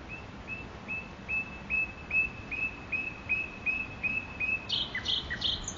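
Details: A nightingale sings in Makoui park: a long train of identical clear whistles, around thirteen in steady rhythm, climbing in loudness before a short burst of harsh, high chattering notes.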